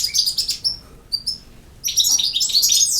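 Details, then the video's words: European goldfinch delivering campero-style song: a quick rattle of high tinkling notes, a few isolated whistles, then a dense, bubbling burst of liquid twitters and buzzes. "El Jilguero BiH 25"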